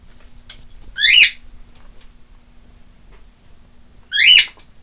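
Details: Two brief, raspy squawks from a pet macaw, each rising then falling sharply, about three seconds apart, with a faint steady hum indoors between them.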